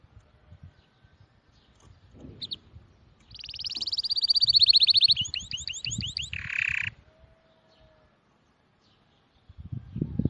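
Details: Bird song: a short chip, then a loud rapid trill running into quick curved notes and a lower harsh buzzy phrase, over a soft low rumbling background with quiet gaps before and after.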